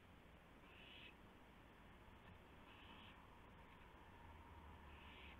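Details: Owl at its nest at 1:00 AM on March 24, 2016, one adult bringing a gopher as prey; three short breathy hissing bursts, spaced over about two seconds, over steady low background noise.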